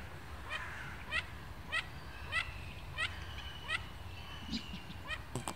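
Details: Mandarin ducks chattering in Łazienki Royal Park, Warsaw, perhaps sensing spring, give short, nasal, harsh notes about every half second, eight or nine in a row, over a low background rumble with faint thin whistles.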